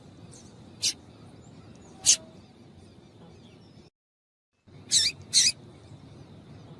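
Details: Double-collared seedeater, a female calling to stimulate and warm up the male: four short, sharp broadband chips, two spaced about a second apart, then a brief gap and a closer pair, over a low steady background hiss.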